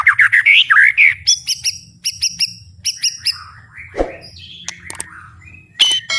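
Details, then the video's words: White-rumped shama, described as having a strong fighter mentality, singing at full volume with open beak: loud varied whistled phrases, sweeping slurs and sharp high chips in quick succession, over a faint low hum. "ISIAN MURAI BATU GANAS❗TEMBAKAN MURAI BATU BUKA PARUH VOLUME PENUH POWER💥 SHAMA BIRD"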